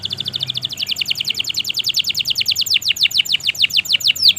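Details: Canary in long gacor song, meant to prompt silent canaries to sing: a steady fast series of rhythmic downward-sweeping notes, about eight per second, turning into deeper V-shaped sweeps near the end.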